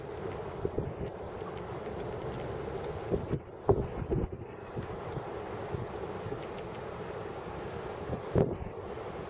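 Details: Wind gusting across the microphone at the West Yar Estuary on the Isle of Wight, with a low engine-like rumble and a few louder knocks; no animal voices.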